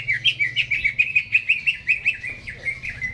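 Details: Greater green leafbird kept in a cage, singing eagerly before being hung up: an even string of clear, bouncing chirps, about four per second, at a steady pitch.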